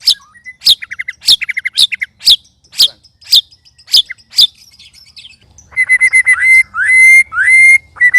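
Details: White-rumped shama sparring with two other birds: loud sharp snapping notes and short buzzy rattles for five seconds, then a switch to rich, loud whistled phrases that rise and level off, over a faint hum.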